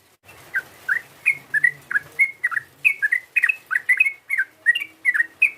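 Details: Yellow-vented bulbul rival-provoking call of bubbly, downward-slurred whistles, delivered in a quick, fairly regular series.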